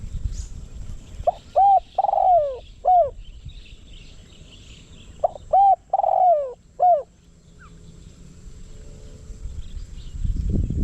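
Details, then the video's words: Decoy spotted dove, used to draw in wild doves, delivers two rhythmic cooing phrases of quick hooked notes, a long descending coo and a short tail note. A low rumbling noise rises near the end. "เสียงนกเขาใหญ่ นกต่อ"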